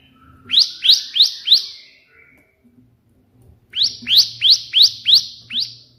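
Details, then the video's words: Bar-winged prinia singing in the 'tembakan' burst version for tutoring: four quick swept-up chirps, a short pause, then six more in a regular rhythm, with a faint low hum behind. "burung ciblek gacor versi tembakan perenjak putih"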